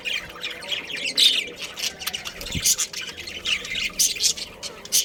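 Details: Budgies in a breeding pair giving rapid, scratchy high-pitched chirps and squawks, irregular warbled phrases with short gaps, plus a faint thump partway through.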